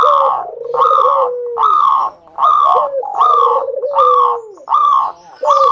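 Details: Local zebra dove song used to coax other doves into singing: rhythmic phrases of bright, rich coos roughly every 0.8 seconds, each easing into a lower, falling purr.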